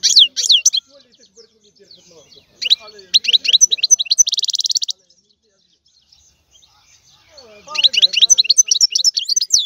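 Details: Bursts of European goldfinch song: bright twittered notes and a harsh buzzing trill, then a lull with faint soft sounds before the rapid tinkling phrases return.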